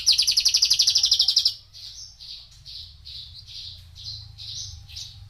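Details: Four-year-old male Javan bushlark opening with a loud, rapid buzzy trill of evenly pulsed notes, then switching to softer, separate high whistled notes repeated about four times per second.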